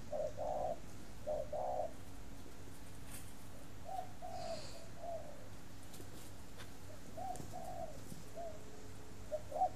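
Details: Captive spotted dove at a breeding aviary in Ba Vì, Hanoi, Vietnam; soft low coos in short groups of two or three notes, separated by pauses, over a steady low hum.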